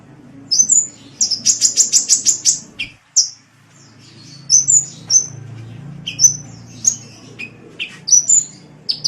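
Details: Sunbird on a masteran track: a fast, even trill of about ten high chips, then a brief gap followed by scattered sharp whistles, some notes dropping lower in pitch, over a soft rumble.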